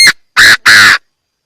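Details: Chinese francolin calling in a clean recording with no background noise, made for use as a trapping lure: two loud, harsh, raspy notes in quick succession after a short clipped note, then silence.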